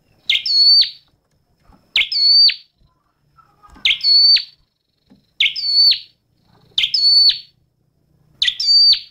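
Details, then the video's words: A Scarlet-backed Flowerpecker sings six sharp, very high notes with a brief falling tail, repeated about every one and a half seconds against a quiet background. "Tiếng chim Sâu Đầu Đỏ hót"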